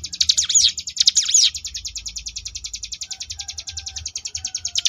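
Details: A Sunda bush warbler sings a "ngebrem" variation of mountain ciblek song used to train contest birds: two quick high swooping whistles, then a long, fast, even run of sharp buzzy notes, about eight per second, over a faint low hum.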